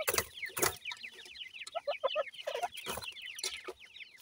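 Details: Grey francolin chicks of the Sindhi type calling during feeding: many short, sharp descending cheeps in quick succession, with scattered pecking clicks and soft knocks.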